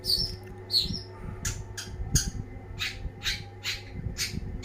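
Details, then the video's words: Long-tailed shrike described as a champion singer: a few whistled, slurred high notes at first, then a fast series of harsh, buzzy rasping bursts repeated roughly every half second, with steady low hum and thumps beneath. "ocehan burung cendet gacor banget"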